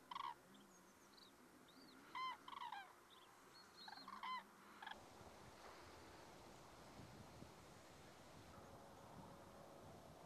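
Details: Autumn rest of common cranes, Rehden Geestmoor in the Diepholz moor lowland, Germany, 5 October 2016. Several rich, harmonic calls, some rising and falling, come in short bursts during the first five seconds before only steady background noise remains.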